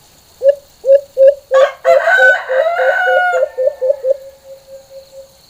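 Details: White-eared Brown Dove giving its full, normal call, distinct from its "baylan" call: low, hollow hoots that quicken then trail off, with a rooster crowing loudly midway.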